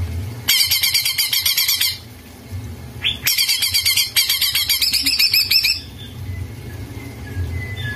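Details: Vigorous greater green leafbird (cak ijo) singing, used as master song to get a silent bird singing: two long bursts of dense, rapid, buzzy chattering notes with a low room hum underneath.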